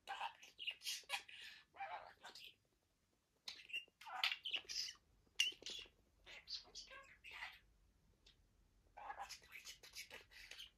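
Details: Male pet budgerigar at play with his toys gives bright chirps, high squeaks and scratchy warbling chatter in several bursts, with a quiet gap midway and faint low room noise underneath.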